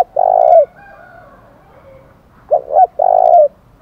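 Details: Fighting challenge call of a spotted dove in the 'thổ đồng' singing style: a long, low, steady coo, a quiet pause, then two quick short notes leading into another drawn-out coo.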